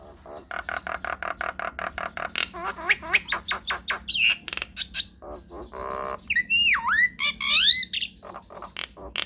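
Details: Nias hill myna, a lively singer used as a lure to prompt other birds to respond, giving a long rolling run of rapid repeated notes, then harsh squawks, buzzy bursts and loud swooping whistles that rise and fall.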